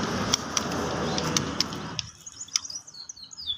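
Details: A young White-rumped shama chick gives thin, high chirps in quick, uneven bursts after two seconds of rustling, crackling handling noise with sharp clicks.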